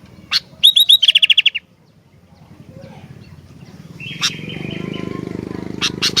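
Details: Sooty-headed bulbul singing energetically: one sharp tick, a fast run of bright hooked notes, then a buzzy drawn note and sharp ticks over a low rattling background hum.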